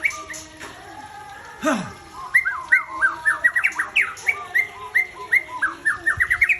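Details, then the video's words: Aceh-type white-rumped shama breeding bird delivers a lively string of bright whistled notes, upswept and looping, repeated quickly and evenly for several seconds after a soft thump. "Murai Aceh"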